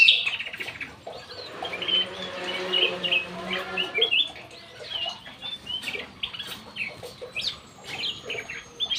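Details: Ruby-throated bulbul singing actively in an aviary: varied short whistled and chirping notes between 2 and 5k, with a steady low droning hum under the first few seconds and other chirps mixed in.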